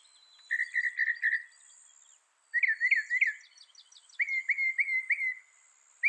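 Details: Northern mockingbird phrases: a run of quick buzzy chirps, a brief silence, then rising slurred notes repeated in threes and a series of level whistled notes with a faint high trill behind.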